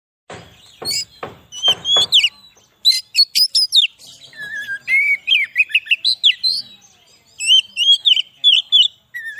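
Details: Oriental magpie-robin song played to lure wild magpie-robins in forest and to rouse other birds: opens with four harsh buzzy rasps, then a lively run of high, varied whistles, slurred chirps and rising-falling phrases.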